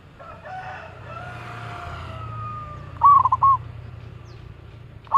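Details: Loud local zebra dove recorded as a lure gives one short stammering coo phrase. A steady engine-like drone and a long tonal hum fill the background.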